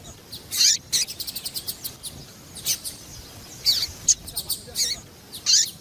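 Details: Female double-collared seedeater, a "piadeira" caller for exciting males: high piercing chirps, then a fast run of about eight short even notes, then more scattered sharp high calls.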